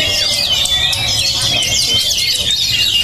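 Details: Oriental magpie-robin, described as a promising, highly emotional and steel-nerved bird, delivering a dense, rapid stream of high twittering and whistled phrases with quick slurred notes. A faint steady low tone hums underneath.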